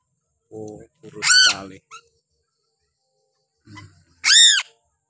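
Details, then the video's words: A captive piping crow, a Sulawesi endemic that is still very thin and fed on crickets, gives two loud, harsh, nasal calls, each rising then falling, about three seconds apart, with low human murmuring between. "suara burung gagak sule cukup menyeramkan"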